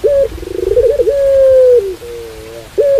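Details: Pelung dove cooing with rain in the background: a long level coo held about a second, preceded by a quick wavering trill and followed by a softer falling note and a short final coo.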